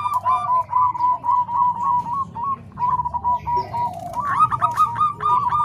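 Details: Zebra dove song mixing Bangkok and Cemani Kolbuntet voices, used to train other doves; soft fluttering coos in rapid rolling strings, pausing briefly, then resuming with higher stuttered notes.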